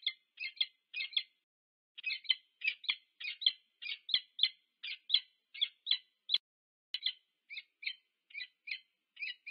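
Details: At a UC Berkeley nest camera in the USA on 2 November 2022, a peregrine falcon pair meets at the nest, giving steady series of sharp, scratchy chip-like calls, some doubled, with pauses around two and seven seconds.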